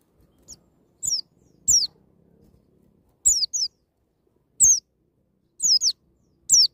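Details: White-eye singing "ngalas nembak" wild style, played to get young birds singing: high, clear downward-sweeping whistled notes, given singly or in pairs with short silent gaps between, faint clicks beneath.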